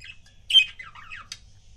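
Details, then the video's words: A single budgerigar from a pet couple gives a loud harsh squawk followed by a slurred, descending warble and one short sharp chirp. "CUTE BUDGIE COUPLES"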